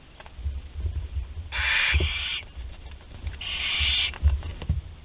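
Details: Barn owl chick, 13 days old, nest box webcam in Théding, France, 20 July 2020, swallowing prey whole; two drawn-out, grating snore-like hisses, each nearly a second long, with thuds of movement.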